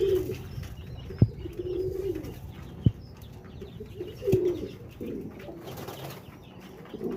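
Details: Pigeons giving soft low coos in short bouts, broken by several sharp clicks or taps, with a low background rumble.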